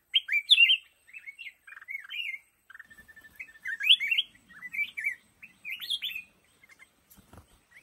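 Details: Song of a black-crested bulbul from a lồ ô bamboo thicket, with lively chirpy whistled notes grouped in short phrases, a brief run of thin repeated notes near the middle, and a faint click toward the end.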